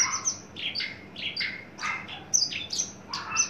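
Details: Tame captive male Horsfield's bush lark at full adult age, just entering breeding condition and kept ready for contests or breeding. It delivers a steady series of short chirps and downslurred buzzy notes, roughly three per second.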